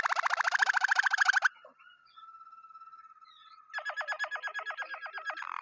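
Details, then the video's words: A Waterslager canary sings a fast, bubbling roll of rapid notes, then a long, steady, pure whistle, then another quick rolling trill. "water Slager Caneri singing"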